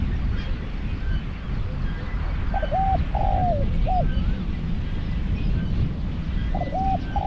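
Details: A caged spotted dove acting as a lure in decoy trapping. One full cooing phrase of double coo, long sliding croo and a short coo, then a new phrase starts at the end, all over low rumbling noise.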